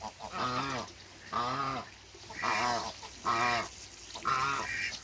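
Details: African goose pair meeting on a farm; five resonant, nasal honks about one second apart, each arching up and down in pitch, loud and clear over a quiet background.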